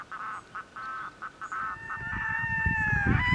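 Red-throated loon giving short, goose-like nasal notes about three per second, then a drawn-out wailing cry, over low wind or water rumble.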